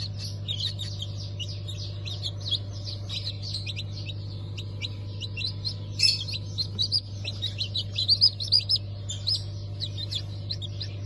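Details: Chorus of newly hatched chickens, Ottoman Sultan, Cream Legbar and Ameraucana breeds, from a 20 November 2023 hatch: many rapid, high-pitched peeps overlapping, growing louder and choppier toward the end, over a steady electrical hum.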